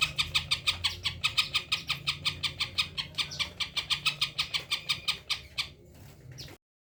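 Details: Tame caged greater green leafbird singing as it is approached, a rapid series of about 28 sharp, harsh notes repeated roughly three per second for nearly six seconds, ending abruptly; low hum underneath.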